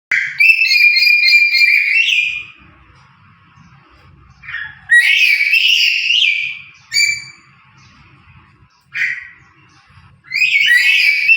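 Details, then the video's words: Lory, described as chatty and talking: loud, harsh, harmonic squawking phrases in bursts of about two seconds, separated by quiet gaps with a faint low murmur in the background. "burung Nuri gacor √√ burung Nuri ngomong"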